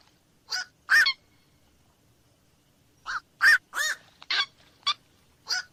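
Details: Repeated harsh croaks of a black-crowned night heron: a pair of squawks, a pause of two seconds, then a faster run of five rough barks.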